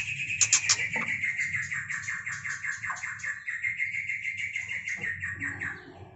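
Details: White-rumped shama recorded during mating: a fast, continuous run of chattering, trilled notes, steady and unbroken for over six seconds, with a low constant hum beneath.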